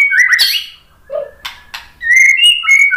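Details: White-rumped shama, song meant to provoke other shamas into singing: a fluty slurred whistle, a low mellow note, two sharp clicks, then a sustained sweet whistled phrase with high overtones.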